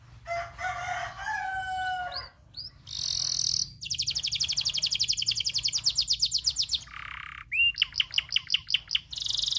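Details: Local canary tutor song in a long rolling sequence: low warbled notes, then bright high trills, a drawn-out rapid pulsed roll, a lower buzz and quick repeated sweeps.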